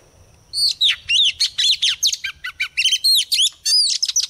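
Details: Female white-rumped shama used as a lure bird, singing a rapid run of varied sweeping whistles and chattering notes with hardly a pause.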